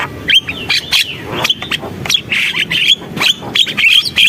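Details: Javan myna singing energetically: rapid choppy squawks and bright whistled notes tumbling out in quick irregular bursts, with brief gaps between phrases.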